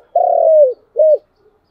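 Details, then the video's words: Spotted dove giving a coo in the chiêu and thúc styles: one long, steady, mellow note that slides gently downward, a brief pause, then a short rising-and-falling coo. "Tiếng cu gáy chiêu và thúc hay"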